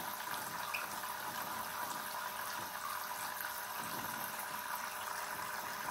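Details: Steady rush of running water, like a tap filling a sink, continues throughout with no animal voice standing out.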